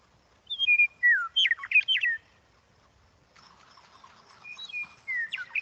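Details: Western meadowlark, Kansas' state bird, gives a rich, flute-like song of clear whistles tumbling into a quick gurgling jumble, then repeats after a short pause; wilder and longer than the eastern meadowlark's song.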